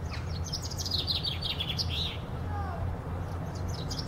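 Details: Chaffinch singing from a tree in Powerscourt Gardens, giving a quick cascading phrase of bright notes that drops in pitch and ends in a rounded flourish. Fainter high chirps follow, with constant low-pitched background rumble.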